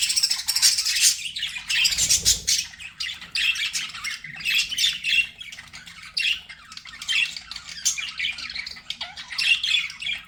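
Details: Pet budgies keep up a long, busy warbling chatter of scratchy chirps and squawks, with a brief low thud near the second second and a faint hum throughout.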